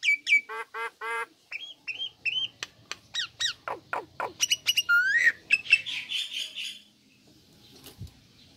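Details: Female Nias hill myna kept in a cage, delivering a mix of harsh squawks, piercing whistles and sharp clicks in quick succession, with one loud upslurred whistle before fading into quiet background rustle.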